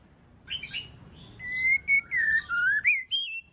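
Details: White-rumped shama female singing to spur the male on: soft fluttering notes lead into five or six clear whistled notes, some steady, some gliding upward, each under half a second.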